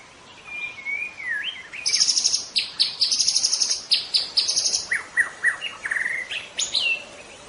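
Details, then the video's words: White-rumped shama in lively, energetic song: a gliding whistle, then a fast series of sharp high chirps, followed by bright rising slurred notes, over a steady background hiss. "KICAU MURAI BATU | GACOR !!!"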